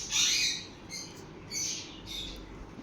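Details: Sun conure parrots playing; one strong harsh screech opens, followed by two softer raspy calls about half a second apart.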